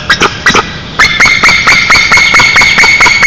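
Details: A loud series of harsh, barking calls repeats about twice a second from Eastern imperial eagles at their nest, 20 m high in Nizhnyaya Kama National Park, Tatarstan, before dawn on 30 April 2023, recorded by a nest camera.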